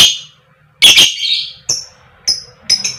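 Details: Female fighter lovebird used to lure others into singing: a harsh, rasping double squawk followed by three short, sharp, high chirps spaced about half a second apart.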